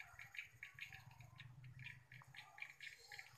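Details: Late-afternoon swiftlet response at the end of October 2021: a flock gives rapid bright chirps, several per second, overlapping, with a steady low droning hum underneath.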